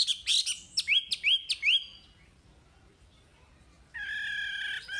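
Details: Chinese hwamei song used as training audio for caged birds: a run of loud, rising whistled slurs repeated quickly, fading out, then after a pause a sustained buzzy, harmonic-rich note.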